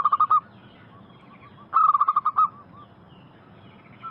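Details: Local zebra dove singing on a lure track meant to make wild doves respond. Two short bursts of fast, staccato cooing notes are separated by more than a second of near silence. A faint coo closes the clip.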